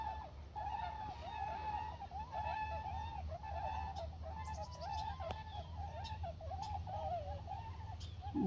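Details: Flock of Tundra Swans arriving at Church Slough, Montana, calling higher than trumpeter swans. Dense, overlapping, bugled whoops and short wavering notes continue without pause, with a few sharp clicks and a low constant rumble underneath.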